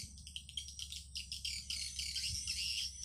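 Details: Swiftlet calling sound broadcast through an amplifier to attract swiftlets: quick run of sharp high chirps, speeding into a dense twittering chatter, with a constant low hum beneath.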